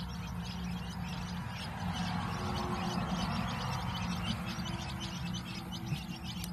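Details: Three-day-old quail chicks peeping together: a steady stream of thin, high, rapid cheeps, roughly four per second and overlapping, over a constant low electrical hum.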